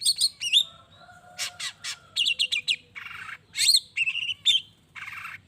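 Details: Long-tailed shrike song played to make other shrikes respond: bright wavering whistles, rapid rattled bursts and harsh grating notes alternate in a busy, mimic-like sequence with a soft low whistle underneath.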